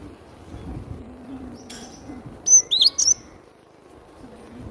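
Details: Cinereous tit singing vigorously, used as a lure for trapping birds: a brief burst of three or four high, thin whistled notes midway, otherwise only a low steady hum.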